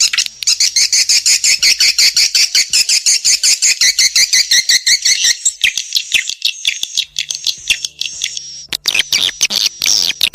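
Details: Lure recording of swiftlets for Indonesian bird houses, meant to call the birds in to nest: a dense run of quick, high, rasping chirps at a steady pace, thinning after the midpoint into sparser ticks and twitters.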